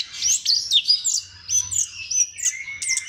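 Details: Orange-headed thrush song used as a lure to stimulate other thrushes to sing: a rapid run of clear, high whistled phrases and slurred notes, varied and continuous, with no other sounds.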